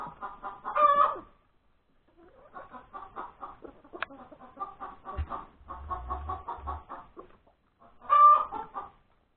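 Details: Chicken hen's post-laying cackle, Sunday, January 31, 2021, breakfast time. Two loud drawn squawks, near the start and near the end, frame a long stretch of steady clucking. A sharp click and low rumbling thuds occur in the middle.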